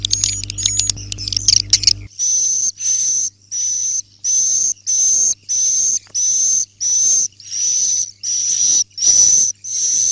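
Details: Swiftlet roosting sound: a short opening of rapid chirps over a low hum, then a long regular sequence of about twelve high, hissing, whistle-toned buzzes, each roughly half a second, with faint hum continuing.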